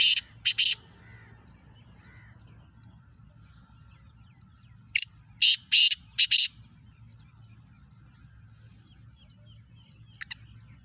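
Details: Black francolin, a speeder type called Kala Teetar in Sindh and Punjab, giving a harsh grating call: clusters of loud rasping bursts, two at the start and four close together mid-way, separated by quiet gaps with faint chirps.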